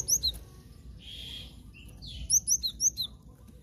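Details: Cinereous tit (glatik batu) sound played as a trapping lure: high, thin chirps in quick clusters of two or three, with a softer, lower warble in between, over a faint low hum.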